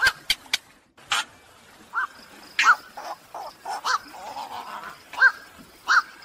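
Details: Black-crowned night heron calls for luring birds in the 2023 night trapping season: scattered hoarse, abrupt barks with a few sharp clicks at the start, spaced unevenly.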